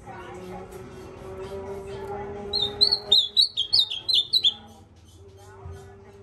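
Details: An ultramarine grosbeak sings a two-second string of about eight high, slurred whistled notes over steady low tonal background sounds, possibly music.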